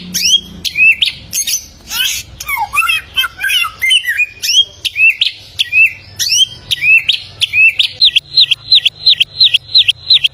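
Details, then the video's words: Bare-throated whistler, the golden samyong of Flores, Indonesia: a fast jumble of harsh and slurred notes, then a long series of sharp upslurred whistles repeated roughly every half second. "AMAZING SOUND OF THE GOLDEN SAMYONG BIRD"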